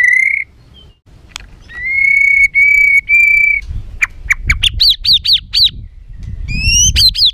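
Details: White-rumped shama giving a harsh, agitated song used to provoke other birds: a long steady whistle, sharp clicks, level whistled phrases, then fast repeated arched notes and more rising whistles.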